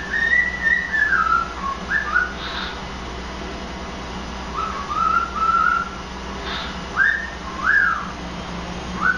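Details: Pet cockatiel whistling the Imperial March from Star Wars indoors: clear whistled phrases of falling and held notes, repeated in bursts with short pauses, steady low room hum beneath.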